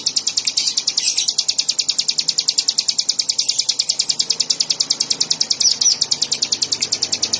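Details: Bar-winged prinia repeating a quick, metronomic string of piercing high notes, about three per second for the whole stretch, with a few brief overlapping chirps early on.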